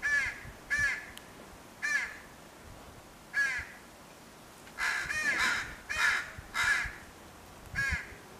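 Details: Baby crow calling to its dad, probably for food; scattered hoarse caws early on, then a denser cluster of louder, grating caws near the end.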